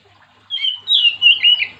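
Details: Oriental magpie-robin singing to prompt other magpie-robins, a short loud run of buzzy, warbled high whistles with little pause between notes.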